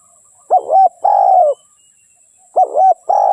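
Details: Spotted dove cooing: two phrases of soft, low, hollow coos, each a short rising-falling note followed by a longer drawn-out coo, separated by about a second of quiet.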